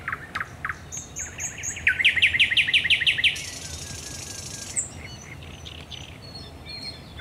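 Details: Thrush nightingale in nocturnal song at the Raszyn Ponds, 10 May 2021: a few opening notes, a rapid rhythmic series of loud chopping notes, then a sustained harsh rattle fading into quieter phrases.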